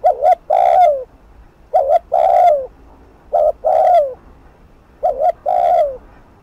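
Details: Spotted dove in fast 'thúc gù' style, used to excite decoy birds: four phrases, each a clipped double coo followed by a drawn-out, low, downward-sliding coo, repeated about every one and a half seconds.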